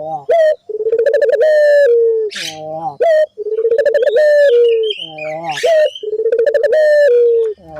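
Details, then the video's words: Barbary dove calling steadily as a lure for other doves: low, throaty pulsed coos repeated in a regular rhythm, each ending in a long slightly falling note, with occasional high chirps. "pancingan burung puter gacor,bikin puter lain ikut bunyi"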